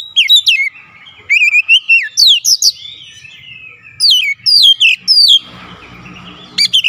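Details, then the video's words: Oriental magpie-robin, insistent singer showing off its learned fill-in repertoire: clusters of loud, falling whistled notes with short pauses between bursts, and a faint rumbling noise near the end. "KACER NGOTOT BONGKAR ISIAN"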